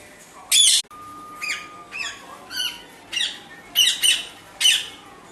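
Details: Parrot giving a series of harsh, loud squawks, about seven bursts in five seconds, over a steady background hiss with a faint continuous tone.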